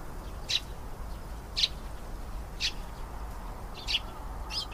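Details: Canary uttering five separate bright high chirps about a second apart against low steady background noise.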